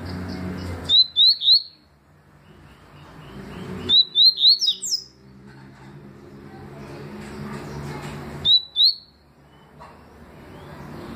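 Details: Papa-capim seedeater performing the 'tui' song in 2020: three short bursts of bright upslurred whistles, three or four notes each, separated by pauses of about three seconds, over a low background hum.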